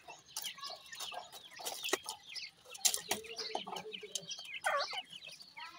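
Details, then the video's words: Several grey francolin chicks peeping continuously, thin high chirps falling in pitch, spaced irregularly with sharp clicks and a few louder downward-sweeping calls toward the end. "pheasant chicks talk,baby partridge are big great,titur k bachay"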